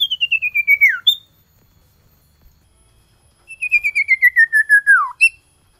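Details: A male common iora calling a female in winter delivers two rapid descending trills of about a dozen whistled notes each, both ending in a steep downward slide.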